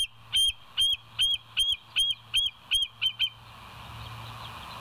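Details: Bald eagles at the West End nest at 02:31 at night on 09/11/2023, filmed by a live nest camera: a run of eight high, thin, piping notes, about two to three per second, that fade into a soft hiss.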